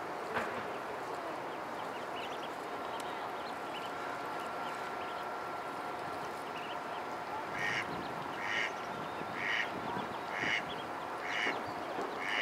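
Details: Ducklings in a pond: after a stretch of steady background hiss, a series of short, harsh calls repeated about once a second in the second half.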